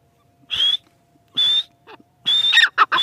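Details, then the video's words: A few short whistled notes of a grey francolin, or teetar, spaced with pauses, then a quicker cluster of two or three rasping notes at the end. "Teetar awaz | dakhni teetar awaz | gray francolin teetar voice"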